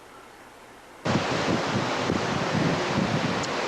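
On the Colorado River in 2001, a low hum gives way to loud, steady wind and rushing water, with no animal sound heard.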